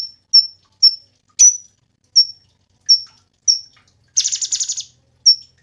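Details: Cungkok song for tutoring songbirds: sharp high whistled notes with dropping tails at uneven intervals, broken by one loud buzzy rattle.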